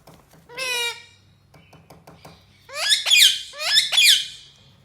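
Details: Two-year-old talking rose-ringed parakeet kept at home, neck ring fully grown, taught to say greetings and words: one loud harmonic squawk, soft clicks, then two harsh, rasping, rising calls close together.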